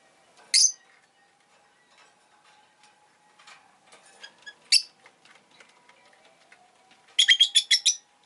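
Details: Rosy-faced lovebird giving sharp, harsh chirps: a single shrill note, a second one a few seconds later, then a quick burst of about six scratchy chirps at the end, with faint ticking and clicking between.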